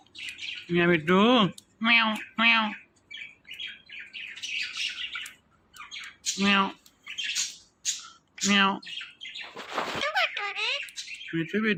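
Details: Indian ringneck parakeet, a talking parrot, speaking short word-like phrases in a harsh, nasal voice with rising and falling tones, broken by sharp squawks; bursts come every second or so, with words like "yeah me too" and "victory".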